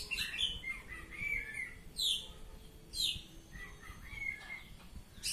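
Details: Oriental magpie-robin (kacer) singing in the ngeplong style: loud, clear whistled phrases and sharp high downslurred notes, repeated about once a second, with fuller warbled phrases between. A faint low rumble lies underneath.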